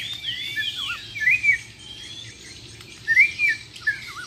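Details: Bornean white-rumped shama, a Muara Wahau contest champion, giving two short bursts of bright twisting whistles separated by a quiet pause over steady background hiss.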